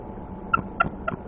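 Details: Female bald eagle on her nest with eggs on a very cold night at -2 °F, alerting after an owl strikes her around 8:40 PM: three short, clipped, slightly squeaky notes in quick succession over a low steady hum.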